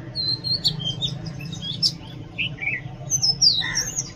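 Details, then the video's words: Oriental magpie-robin song: clear, varied whistled notes, some slurred downward, others short and chirpy, given in loose bursts with brief pauses, over a steady low hum. "Oriental magpie robin Song"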